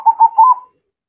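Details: Zebra dove, known locally as perkutut, giving a short cooing phrase of three quick pulses that run smoothly into one another at a steady pitch and then fade out.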